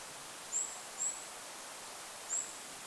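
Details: Goldcrest in forest over a lake: three brief, very high, thin notes, two close together and one after a pause, nearly buried in loud wind hiss.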